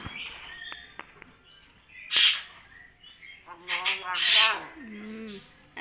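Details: Talking common hill myna imitating spoken words and a cough, including Allahuakbar and Assalamualaikum: two loud, hoarse, breathy bursts followed by a wavering, voice-like phrase that drops in pitch.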